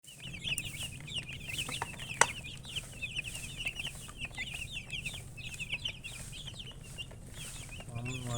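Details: A group of chickens chirping: many overlapping thin, high peeping notes in constant rapid chatter, over a steady low hum, with one sharp click.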